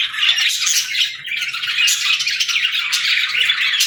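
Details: A group of pet budgerigars chatters in continuous overlapping warbles, squeaky chirps and short squawks, steady in loudness throughout.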